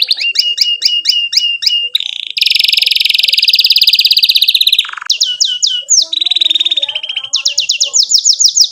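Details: Canary singing a long 'gacor' song with 'cuit cuit' and rolling 'ngerol' passages, used to train young canaries: quick swooping notes repeated, then a harsh buzzy stretch, then renewed swooping phrases and bright rapid trills.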